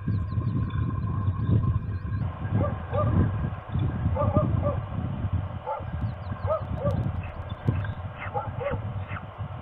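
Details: Female peregrine falcon at Trzebież, dated 17.04.22, calling to ask for a nest change: short harmonic notes repeated in uneven bursts over a steady low rumble of wind or background noise.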